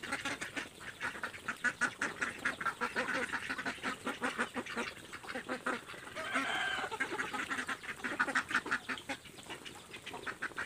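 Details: Fed ducks competing to grab food, letting out a steady stream of nasal quacks amid constant rhythmic clicking and splashing-like scrabbling, a louder cluster of calls in the middle.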